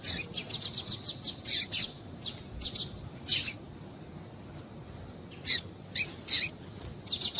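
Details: Female coleiro (double-collared seedeater) calls meant to excite a male into song: a rapid run of short, high chips at the start, then scattered bursts of two or three sharp notes with quiet gaps between.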